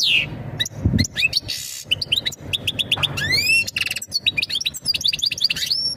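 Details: Energetic European goldfinch song aimed at preparing the female for mating, made of bright chirps, buzzy rasps, a rising series of stacked whistled notes and clipped twitters in rapid succession.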